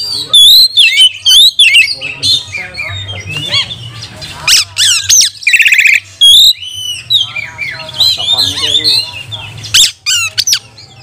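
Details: Oriental magpie-robin delivering a fiery training song to provoke rivals: swooping whistles, harsh rasps and quick chattering notes tumble together in a dense, varied stream, with a steady low hum underneath.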